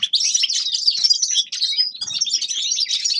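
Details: Grey-crowned goldfinch giving a quick, high twittering song of jumbled chirps and trills, briefly broken by a soft low thud about two-thirds through.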